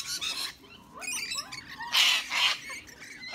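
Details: Rainbow lorikeets harassing larger birds, including sulphur-crested cockatoos, brushturkeys and other lorikeets, give rasping shrieks and quick chattering twitters, with two loud grating screeches in the middle.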